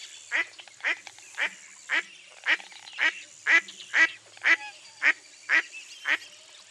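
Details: Steady run of loud, rasping quacks from a mottled duck, roughly two each second at a fairly even pace, each note short and dropping in pitch, with a quiet background.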